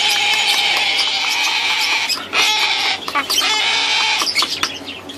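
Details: Hand-raised sulphur-crested cockatoo chicks, three of them, hungry and noisy; a dense, grating wheezy begging chorus, steady and raspy with pulsing stutters near the end.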